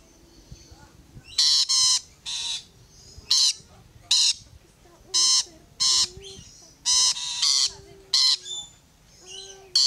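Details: Several rainbow lorikeets climbing on a fence keep up a steady series of short, shrill, grating screeches, often doubled, about fifteen bursts over ten seconds, with thin whistled notes and quiet background noise between.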